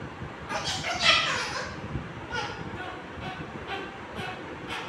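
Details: A female Triton cockatoo fighting with its owner gives harsh, raspy screeches in short bursts about once a second, with a person's voice and household noise underneath.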